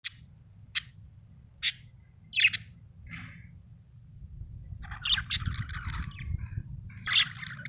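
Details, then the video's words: Happy budgie chirping: short scattered high chirps and squeaky notes at irregular intervals, with a brief cluster of jumbled chatter toward the end, over a steady low hum. "happy budgie chirping sound"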